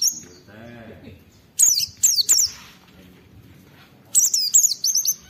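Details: Oriental white-eye song meant to trigger other white-eyes: short bursts of shrill descending chirps separated by quiet stretches, with a faint low murmur early on.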